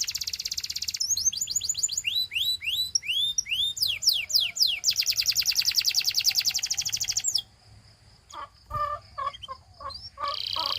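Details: Belgian canary singing to prompt other canaries: a bright rolled trill, rising and falling whistled slurs, a long fast rattling trill, then scattered short chips and clicks before the trill resumes.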